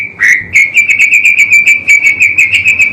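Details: White-rumped shama (murai batu) pastol song from a caged-bird training master: one slurred whistle followed by a steady run of clear, even whistled notes at constant pitch, about five per second.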